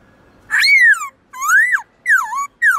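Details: Caged black-throated laughingthrush singing many voices: four long, rich, swooping whistles that slide up and down, loud and full-toned over a faint room hum.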